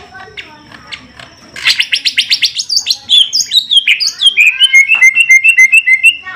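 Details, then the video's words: Greater green leafbirds, a caged male and female being paired, in Indonesia; after a quiet start, a loud run of rapid chirps gives way to clear whistled notes stepping downward in a repeated, tumbling series. "Penjodohan Cucak Ijo"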